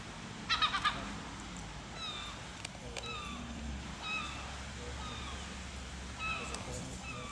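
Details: Black-crowned night heron at Overveen, the Netherlands, giving a quick burst of three or four harsh, rasping calls near the start, then thin whistled chirps from small birds scattered over a steady low rumble.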